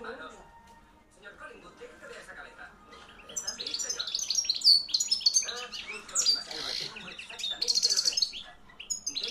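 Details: European goldfinch of the campero type, hand-reared in 2013 and caged, in loud song. After a quiet start, bright high twittering and tinkling trills build up and grow louder, with rapid chirped notes in dense bursts.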